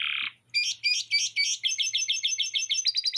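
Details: Canary in long continuous song, its repertoire filled with lovebird chattering. A brief harsh buzzy burst opens, then rapid repeated chirped notes speed from about five to eight per second into a higher, rising trill.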